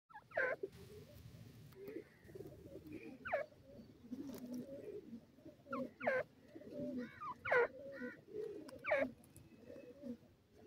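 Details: Young francolin (teetar) chicks playing, hopping and fluttering in grass: loud slurred peeps sweeping between high and middle pitch, given singly every one to three seconds over a steady low murmur of soft cooing-like background sounds.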